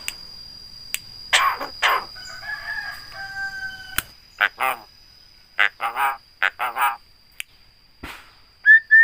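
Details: Loud-voiced Javan myna (jalak kebo), trained to copy human speech, greetings and coughs: rasping bursts, a drawn-out flat whistle, then clusters of short harsh nasal notes and a final rising whistle.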